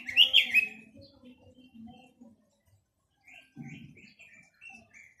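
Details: Chinese hwamei song: a short burst of rich, slurred whistled phrases at the start, then quiet, with softer, fainter warbled notes returning near the end; low rustling in the background.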